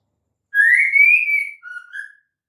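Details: A female white-rumped shama's typical lure call for prompting males to sing: a long, smoothly rising clear whistle followed by a brief, lower two-part whistled ending, in otherwise silent surroundings.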